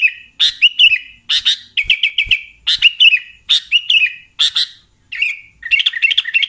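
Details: Sooty-headed bulbul, used as a lure for catching bulbuls: rapid bursts of short bright chirps with quick falling slurs, grouped in clusters about every half second to second, with no other sounds.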